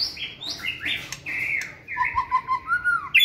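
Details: White-rumped shama in a flight cage, singing with energy during fitness training; loud varied phrases of bright whistles and buzzy slurred notes, shifting pitch, ending in a series of lower fluting whistles.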